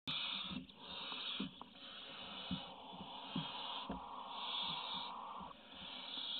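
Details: Barn owl chick in a nest-box webcam on 27 May 2017, the smallest chick, which is no longer being fed, giving a steady, raspy hissing wheeze in long breathy begging bursts, with faint scrapes and knocks underneath.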